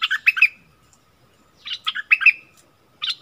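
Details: Bulbul answering a rival wild bird, 27 March 2021: three clusters of fast, chattering, bubbly notes separated by short silences, the last cut off.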